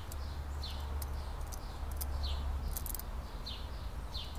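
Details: California scrub jay nest in 2017, a pair raising three chicks in the same tree as an earlier brood; short, high, downslurred notes repeated rapidly and unevenly, with steady low rumbling noise beneath.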